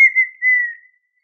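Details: A partridge, called perdiz, gives a single sustained whistle, briefly broken in the middle, steady in pitch and fading out over about a second.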